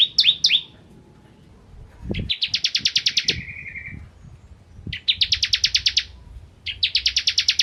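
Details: Bar-winged prinia in the lively "ciblek kristal" style, recorded to train oriental magpie-robins. Two falling whistles open, then rapid buzzy trills of clicking pulses come in bursts about a second long, one ending in a drawn-out lower tone. Low thumps sound in the background.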